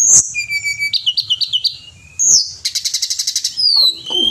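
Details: Pied bushchat (Tledekan Gunung) in steady gacor singing, used as a master recording for songbird training: a sharp high note, then level whistles, rapid buzzy trills and a long falling slur, with faint low hum beneath.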